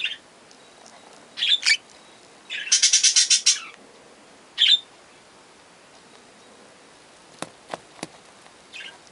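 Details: Three young budgerigars give scattered short chirps and one harsh, buzzy grating burst lasting about a second, then fall quiet apart from a few sharp clicks.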